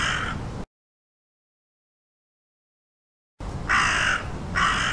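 A crow gives harsh, hoarse caws: one at the start, then a long silence, then two more in quick succession.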